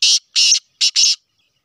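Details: Harsh rasping phrase from a Sheedi cross black francolin: four loud, buzzy, broadband notes, two spaced evenly and then a quick linked pair, with nothing else audible.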